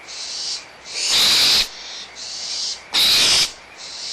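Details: Excited young barn owls at Audubon Starr Ranch Sanctuary, April 2011, in a small quarrel over leftover food while their mother is near. Continuous airy hisses alternate with two loud, grating screeches about two seconds apart.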